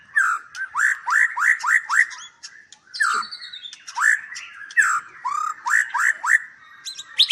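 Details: White-rumped shama at a large captive breeding farm in Palembang, Indonesia: loud upslurred whistled notes repeated in quick bursts of four to six, a pause near three seconds, then more rising notes and a few harsh buzzy chirps.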